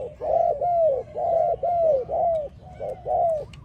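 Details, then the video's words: Low, mellow cooing from a spotted dove in a training recording, seven rounded hoots about once a second, each swelling then sliding gently downward, over a quiet low hum. "Training Spotted Dove, Sound spotted dove training singing so love."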